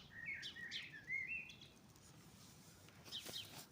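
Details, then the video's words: At daybreak in spring, birds give a string of short whistled and warbled notes, then a pause and a faint high chirping at the end. "Құстар үнімен көктемде келді. Весна пришла под пение птиц"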